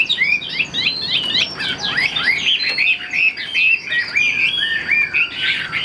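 A Chinese hwamei sings a rich, fast, unbroken run of varied whistles, slurs and trills, bright and loud throughout, with no other sounds heard.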